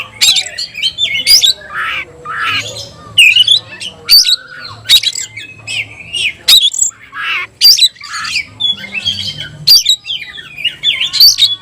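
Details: Loud, energetic singing from a kept tayoraky-variety oriental magpie-robin: rasping squawks alternating with shrill whistles and fast scratchy trills, repeated phrase after phrase over nearly twelve seconds.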